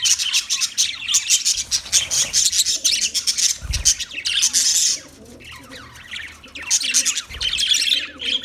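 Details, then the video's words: Budgie chirps and harsh squawks in rapid clicky bursts, a loud chattering run, a quieter stretch with softer warbles, then chattering resuming, plus a few low thuds. "Beautiful Budgie Sounds"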